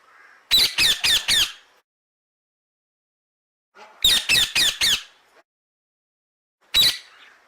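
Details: Parrot gives harsh, loud squawks in rapid bursts of four or five, the bursts separated by pauses of a few seconds, with a single squawk near the end.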